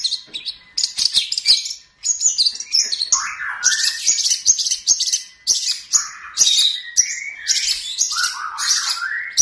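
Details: Long-tailed shrike song used to train other singing birds: a varied, jumbled medley of loud scratchy chatters, high squeaks and lower warbling phrases, delivered almost without pause.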